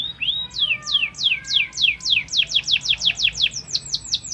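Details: Fighting canary giving a training song of sharp downward-slurred whistles, starting slower and speeding up into a quick steady series, with a faint lower whistled tone beneath.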